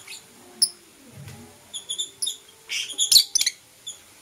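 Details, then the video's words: Morning chirping from blue opaline and parblue euwing opaline lovebirds: thin high tweets at first, then a quick cluster of bright, scratchy chirps near the end, tapering to one last short note. "Lovebird Chirping Sounds"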